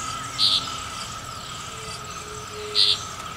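A Green-barred Woodpecker gives two short, sharp high notes about two seconds apart over a steady background hum of insects.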